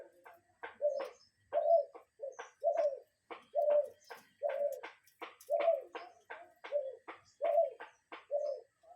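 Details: Cuckoo heard outdoors in a natural setting: repeated soft hollow hooting notes, often in pairs, continuing rhythmically over several seconds with light ticking noises in the gaps.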